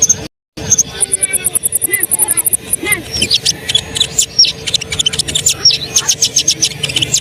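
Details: Energetic Asian pied starling song intended to get other birds singing: after a brief gap, a long run of rapid high ticks gives way to crackling chatter and scattered sharp whistles.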